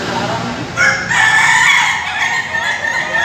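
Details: Ayam Ketawa (laughing chicken) roosters at a joint practice session in a farm pen, Bogor, Indonesia: a bright harmonic crow rises suddenly and is held, wavering, over a dense chorus of other overlapping crows.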